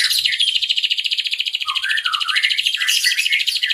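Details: Ashy drongo singing in the nembak cililin style, a long-shooting song used as a tutor recording for songbirds: a fast, dense, buzzy trill with short rising and falling whistled notes woven underneath.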